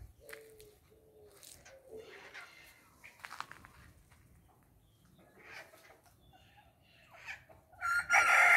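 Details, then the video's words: Scaly-headed parrots eating guavas, 17 April 2022 at 16:50; harsh, raspy squawks come in scattered bursts, with a loud grating burst near the end. "Maritacas se deliciando com goiabas"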